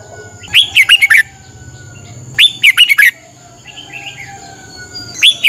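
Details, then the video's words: Thai caged Red-whiskered bulbul during its 30-minute morning training; three short bursts of lively, warbling whistled notes spaced about two seconds apart, with soft distant chirping between them. "นกกรงหัวจุก ฝึกหงอนเป็นเวลา 30 นาทีทุกเช้าเพื่อช่วยให้นกเรียนรู้ที่จะพูดได้อย่างรว"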